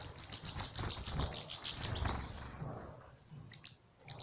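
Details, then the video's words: European goldfinch singing in the salaka style, with rapid ticking and buzzy notes repeated in a quick, uneven run high in pitch over a low rumbling background, fading toward the end before brief chirps return. "مقطع رائع لطائر للحسون فى السلاكة"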